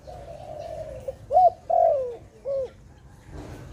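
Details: Dove recorded where birds are trapped, giving a long steady coo followed by short arched coo notes near the same mid pitch, then a rustle of background noise.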